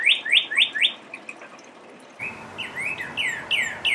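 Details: Red cardinal calling in spring for a mate: four loud rising whistles, a quieter stretch with soft notes, then a new run of slurred whistles with sharp upswept chips, over steady low noise.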